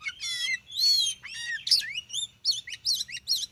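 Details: Oriental magpie-robin (kacer) singing beside a concrete road: a rich run of varied clear whistles, sliding notes and sharp chirped phrases, loud and close, with no other clear sounds.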